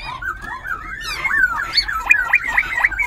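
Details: Half-tamed wild-caught Black-throated Laughingthrush kept in a cage in Binh Chanh, Ho Chi Minh City, dancing as it sings: a short stream of liquid whistled slurs ending in quick, sharp, clear notes.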